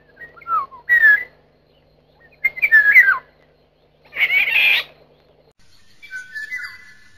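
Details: Wild Eurasian golden oriole (Oriolus oriolus) in Italy giving rich, fluty whistled phrases that rise and fall, four short bursts about two seconds apart, one slightly harsher, over a quiet background.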